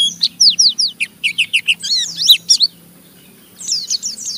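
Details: Oriental white-eye in rough chattering song, used to stimulate other white-eyes to join in: rapid high, thin falling chirps in a quick string, a short pause, then more twittering, over a faint low hum.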